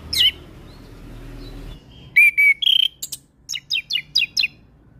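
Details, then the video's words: Orange-headed thrush, a young untrained bird, in full lively song: a sharp swooping note, a pause, then sustained whistles followed by a rapid series of about eight short, evenly spaced, descending chips. "Suara Anis kembang Gacor Full isian"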